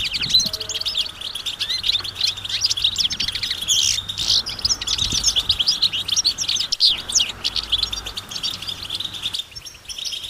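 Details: A group of European goldfinches twittering together out in nature, mating and readiness calls meant to stir males into song: dense, overlapping high chirps and rapid trills pour out continuously for ten seconds, with a faint low hum underneath.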